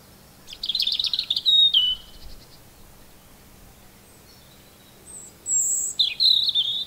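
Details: Robin song in short high phrases: a fast twittering trill with a falling whistle, a long pause, then a very high thin note and another warbled trill, against quiet background hiss.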